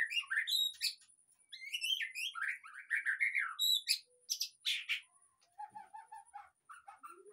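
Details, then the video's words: White-rumped shama song used as a lure to get a caged, moulting bird singing fully: varied rich whistles, sharp high notes and rolling phrases, then a run of low repeated piping notes and rising whistles toward the end. "pancingan suara murai batu//agar cepat ngeplong"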